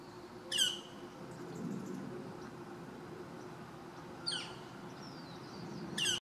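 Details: Northern flicker (Colaptes auratus), call.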